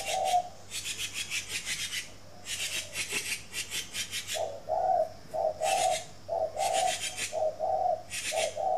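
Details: Spotted dove at a bird garden in Ba Vì, Hanoi, Vietnam, in the morning: loud repeated scraping, rubbing noise fills the first half, then a series of low, hollow coos follows at a regular pace.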